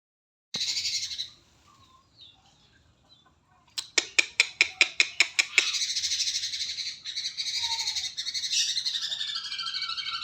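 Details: Sooty-headed bulbul song used as tutoring material for other birds: a brief buzzy burst, a pause, then a quick run of about eight sharp clicking notes leading into dense, high, scratchy chattering.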